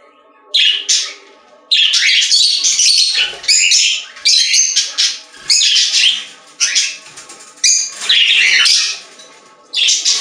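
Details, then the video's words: A pet store flock of budgerigars singing: repeated loud stretches of rapid scratchy warbling and chirping, each a second or more long, with brief pauses between, against a steady faint room hum. "Budgies singing in Pet Store | Parakeet Sounds"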